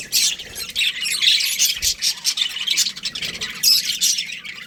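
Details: Budgerigar breeding pair chattering in quick rasping squawks and thin chirps, pulsing in short bursts several times a second.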